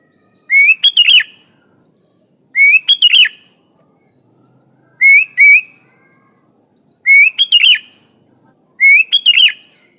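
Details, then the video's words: Sooty-headed bulbul song as a master for training: short bubbly whistled phrases, each a rising note then quick warbling notes, repeated about every two seconds with silent gaps, over a faint steady high hiss. "Suara Burung Kutilang Gacor full isian alam Ampuh buat masteran kutilang isian bahan"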